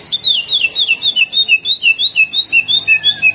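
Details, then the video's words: Loud, tireless greater green leafbird jamtrok song: an unbroken flow of evenly pulsed, downslurred whistles, about five per second, gradually stepping lower, with faint higher overtones throughout. "LANGSUNG JAMTROK || CUCAK IJO GACOR HYPER TEMBAKAN KASAR"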